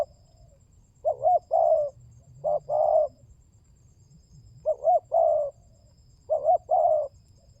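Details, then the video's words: Spotted dove, used as a lure to coax other doves into calling: four low, hoarse cooing phrases, each a short double note followed by a longer drawn-out coo, spaced irregularly over several seconds in quiet surroundings with faint low rumble. "Pancingan burung tekukur berkhasiat !!! Di jamin tidak bisu"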